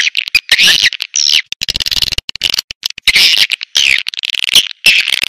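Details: Swiftlet lure call, loud and clipped: grating high chirps and twittering trills alternate with quick clicking runs and abrupt silences.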